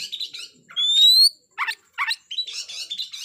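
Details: Kacer (white-rumped shama) giving a provocation song to stir up a rival; a clear rising whistle stands out among short scratchy chattering bursts and brief pauses.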